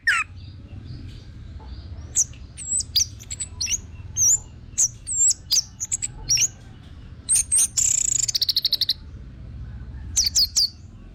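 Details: Thin, very high whistles scattered among short notes from an orange-headed thrush, song used as a lure for singing birds, with a buzzy rattling trill midway and faint background hum.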